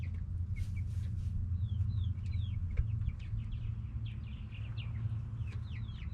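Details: Yard chickens, hens and roosters, making plenty of noise. Bright, quick downslurred peeps tumble irregularly, building toward the end, against a constant low rumble and a single knock.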